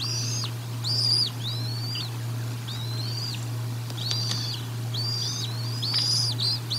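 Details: At the Decorah North nest, bald eagles call during feeding on 04 01 2022, caught by a nest cam: repeated high, arched, piping whistles in quick series, with a constant low hum beneath.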